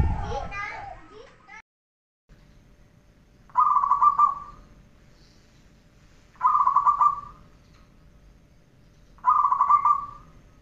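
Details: Zebra dove training recording: after a brief noisy start, three rolling, trilled coo phrases come at roughly three-second intervals, each a short burst of rapid tremolo notes at a steady pitch over a quiet background.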